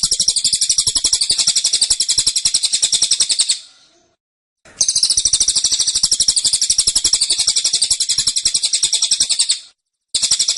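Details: Cililin giving a dense, insistent burst song: long high rapid trills of tightly packed notes, two bursts separated by a short pause, with a third beginning at the end.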